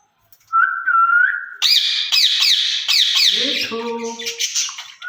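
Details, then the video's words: Two caged ringneck parakeets talking to each other in Urdu or Hindi. A smooth wavering whistle opens, followed by a run of loud harsh rolling squawks overlaid by lower voice-like tones. "Speaking Parrots in Cage"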